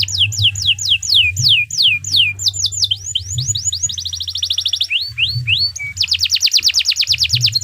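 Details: Canary singing long gacor song as a master for other birds: a run of descending whistled slurs, then rising slurs, a fine rapid trill, a short flat whistle and a dense fast roll, with a faint hum.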